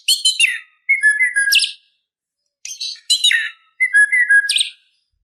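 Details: Full, varied song of a white-rumped shama used to provoke a rival: two matching phrases, each opening with clustered buzzy notes, then flat whistled tones and a sharp high squeak, a pause between them.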